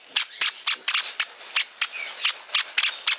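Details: A hand-reared Java sparrow chick on a futon gives a quick run of short, high, scratchy cheeps, about a dozen in three seconds at an uneven pace.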